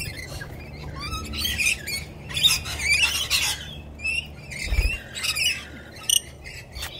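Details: A bunch of friendly rainbow lorikeets perched on a person's arm, giving shrill chattering screeches and squawks in overlapping bursts, with a steady low rumble of background noise.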